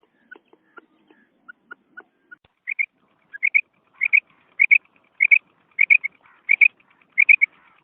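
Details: Female quail calling, described as natural and original: faint single high notes at first, then clear paired clipped whistles, each pair about every 0.6 seconds, growing louder over the clip.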